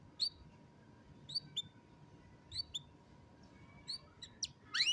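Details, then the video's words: Canary recorded on a mobile phone: brief high chirps in pairs roughly every second, ending in a few fast swooping notes, with quiet hiss and a faint steady hum behind. "الكناري بالتأكيد ستحب غناء الكناري الجميل هذا Canary Singing"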